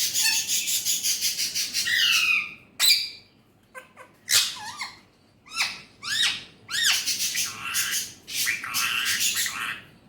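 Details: Pet Alexandrine parakeet opens with a long harsh chatter, then gives a series of short arching speech-like notes and clicks, ending in another rough run of syllables.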